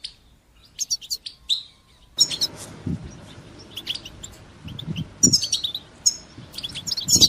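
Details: European goldfinch singing in the bitbita and sitsita styles, used to stimulate goldfinches and teach young birds to sing: quiet sparse chirps at first, then bursts of high twittering notes, with soft low thumps underneath.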